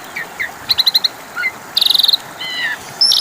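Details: Asian pied starling song as a lure for non-singing birds to respond: bursts of rapid clicking notes, short whistles and a fast high rattle around the middle, with a soft hiss behind.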